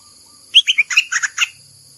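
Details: Bulbul singing to attract a mate, 28 May 2021: one brisk phrase of about eight quick, bubbly notes, the first ones whistled and sliding, the later ones rich and warbled, loud and close.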